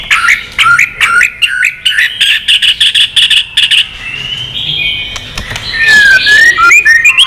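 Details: White-rumped shama singing in contest mode with tail flicking: fast runs of short chirps and clicks repeated over several seconds, then a long smooth whistle leading into descending and rising whistled phrases.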